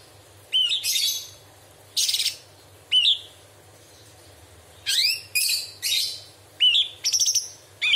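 Straw-headed bulbul giving loud, sharp bursts of ringing chirps and quick downslurred whistles, about eight phrases in irregular spurts, with short silences between.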